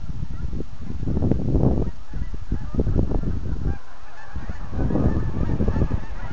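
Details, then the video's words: Autumn geese by the thousands leaving the Rideau Waterway near Manotick: deep honking in thick bursts that swell and fade several times over the stretch. "Geese taking off in Autumn"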